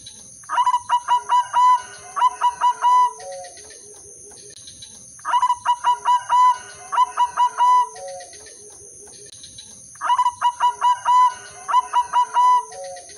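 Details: Albino white zebra dove with red eyes, a caged female singing eagerly to tempt and arouse males into answering. Bursts of about eight ringing, evenly spaced coos end in a lower falling note, with phrases repeating roughly every four to five seconds.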